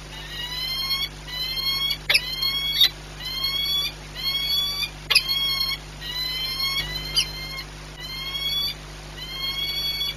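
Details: On 18 March 2021 at Orlen Płock, a peregrine falcon named Rafik, frightened by noise, gives harsh, ringing calls about once a second, each slightly slurred, over a steady electrical hum and a high whine.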